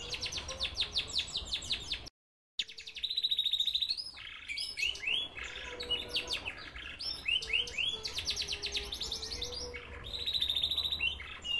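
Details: Canary singing energetically: rapid rolling trills and repeated chirps in the high register, with fast buzzy runs and brief pauses, including a moment of total silence near the start; faint low hum underneath.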